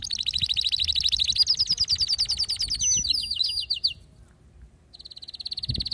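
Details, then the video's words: Agitated male canary in full song, pouring out rapid high rolling trills that shift in tempo, then a brief silence before another quick trill starts. "هيجان ذكرى كناري سيجبر كناريك على التغريد فورا"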